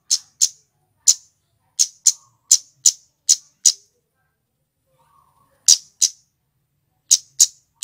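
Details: Scarlet-headed flowerpecker male, used as a trapping lure, giving crisp high-pitched ticking 'cit' notes in bursts of two to seven, with silent pauses of up to two seconds between groups.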